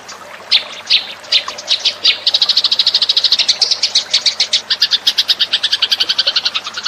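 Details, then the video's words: Lure call of the house sparrow: scattered chirps at first, then a quick unbroken run of bright, sharp chirps that keeps going to the end. "suara pikat burung gereja"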